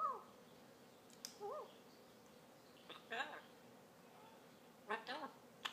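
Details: Pet African grey parrot trying to be cute: a few voice-like arched harmonic notes, scattered sharp clicks and brief squeaky bursts separated by quiet gaps.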